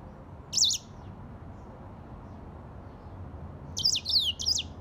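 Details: African grey singing finch song: a brief high chirped burst, a long quiet gap, then a cluster of quick zigzagging notes near the end, with faint steady low rumble underneath.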